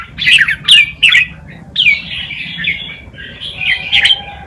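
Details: Red-whiskered bulbul song meant for tutoring young birds: a few sharp, slurred chirps followed by longer rolling warbled phrases.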